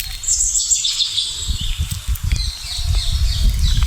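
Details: A flock of many parakeets in a forest, directly overhead after briefly falling silent, give harsh, high screeching "crying" calls together in rough bursts, over heavy low wind rumble and handling noise.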